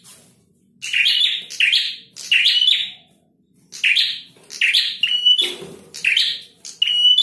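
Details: Singing male Bar-winged Prinia in full voice: a rapid series of loud, harsh buzzy notes with short thin whistles mixed in, roughly two per second, broken by a short pause.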